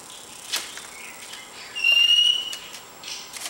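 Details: Lorikeet kept indoors, playing on a coffee table, gives a single level, pure whistle held about half a second amid faint clicks.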